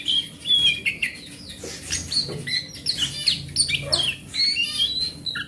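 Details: Song of a wild forest oriental magpie-robin, used to prompt a magpie-robin that has stopped singing. It is a rapid stream of sweet whistles, chirps and scratchy notes with barely any gaps, backed by a low constant hum.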